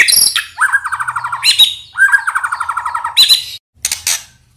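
White-rumped shama song: rich, varied phrases with rapid rattling trills and sharp, high whistled notes, delivered in quick bursts.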